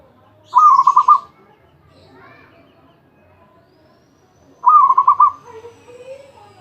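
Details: A champion perkutut, or zebra dove, described as singing without pause in ecek ecek style, repeats a rapid pulsed coo of five or six notes twice, four seconds apart, with faint other sounds after the second phrase.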